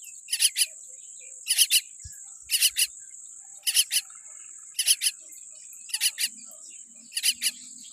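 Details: A tiny baby common myna (Acridotheres tristis), born with a weak beak, gives harsh, raspy chick calls in quick clusters of two or three, about once a second, over a steady high insect hum.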